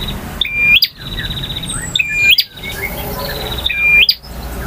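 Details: In long varied song in the ngotot, ngalun and kristal styles, a male bar-winged prinia repeats a flat whistled note with an abrupt upward snap three times, with buzzing trills in the gaps.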